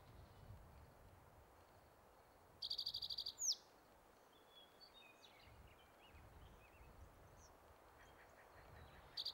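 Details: Male spotted towhee singing on territory at Metcalf Wildlife Management Area, Nebraska, on May 23, 2023: a rapid, dry, high trill lasting under a second and ending in a sharp slurred note, with another trill beginning at the end. Soft low rumble throughout.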